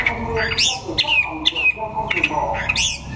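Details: A sunning white-rumped shama from Vietnam's Đắk Lắk competes in a singing contest, giving sharp whistled notes that sweep down, then short bright chirps in bursts about every half second, with people talking softly behind.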